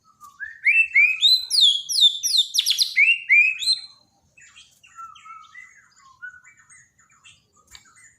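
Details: White-rumped shama of the Borneo form from daily training audio for a non-singing bird: a fast, loud burst of rising and falling whistles and chatters for about three seconds, then quieter low whistles and soft notes.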